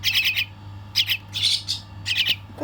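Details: Baby bird during feeding, calling in raspy, hissing high squawks delivered in clustered bursts of three to four with short pauses between, about five groups in under three seconds, with a low constant hum behind.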